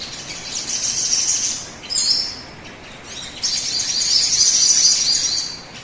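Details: Sogon song used as a lure to get other birds singing quickly, a dense high chattering twitter in two long bursts separated by a brief quieter gap.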